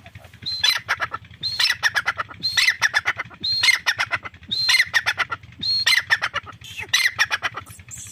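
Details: Grey francolin (Irani teetar) in a steady calling run: a high thin note opens each loud, grating, stuttering phrase, the phrases repeating about once a second throughout with little pause.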